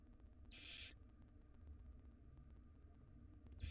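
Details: At a wild nest box, a barn owl chick gives one harsh hissing screech of under half a second as the mother brings a jird for the nestlings, followed by steady low hum and the start of another call.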